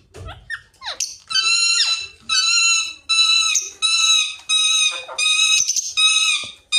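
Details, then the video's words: Talking rose-ringed parakeet: a few quick squeaky notes, then a string of rich, nasal, voice-like syllables, each about half a second long, repeated with short gaps, in an otherwise quiet setting. "Mithu Parrot Talking Face To Parrot Talking"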